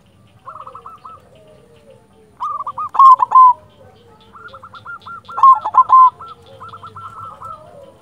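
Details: Silver zebra dove from local stock, singing steadily. Runs of quick hooked coos alternate with loud rolling bursts, about three notes each second.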